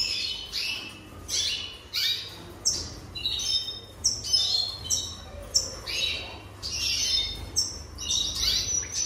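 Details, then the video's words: Jaspe canary voice in a series of short, scratchy, high bursts repeated about every second, each a rough chattering note with a thin whistle behind. "Chant Canari Jaspe"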